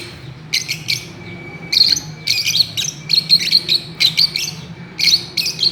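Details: Fischer's lovebirds playing and swinging on a swing, giving sharp, high, squeaky chirps in quick clustered bursts, some doubled, with short pauses between groups over a low steady indoor hum.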